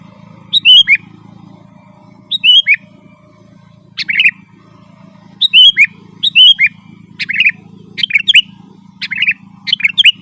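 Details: Lively, continuous song of a sooty-headed bulbul, offered as a lure for wild birds: short whistled phrases, sparse at first, then rapid and crowded toward the end, over a steady low hum.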